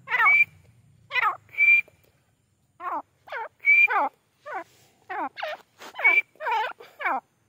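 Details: Grey francolin giving a long series of loud, harsh, descending calls in quick bursts. Short steady whistled notes are mixed among them.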